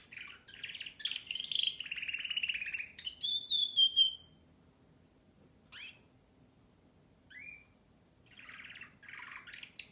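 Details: Canary song that opens with a four-second stretch of rolling trills and sliding whistled notes, then breaks into scattered short chirps and a final buzzy trill after a pause.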